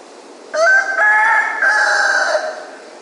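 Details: A rooster at dawn in Ipanema gives one full crow of about two seconds, loud and harsh, with stepped segments ending in a drawn-out fall; nothing else is heard.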